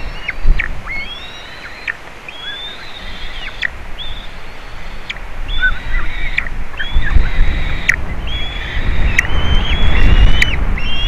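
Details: Juvenile White-tailed eagle visiting eaglets at the nest, Latvia, 27 June 2019, nest camera: a steady series of high, flat whistles ending in quick downward slurs, roughly one every second, with gusty wind rising later.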